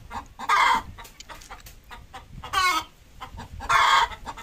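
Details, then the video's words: Desi hen while laying an egg gives three loud, harsh, ringing squawks spaced one to two seconds apart, with soft low clucks between them. "Desi Hen Leying an Egg"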